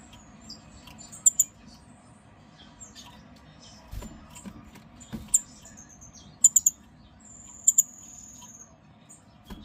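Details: A pair of blue-faced parrotfinches (Erythrura trichroa) on a wooden perch give very high, thin, sharp tsit notes and a drawn-out high whistle, spaced every second or two, over faint hum and clicks.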